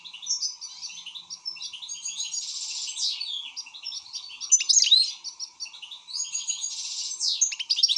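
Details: Excited European goldfinch in lively song, quick high chirps, liquid twitters and buzzy trills strung together, rising to louder sharp notes in places.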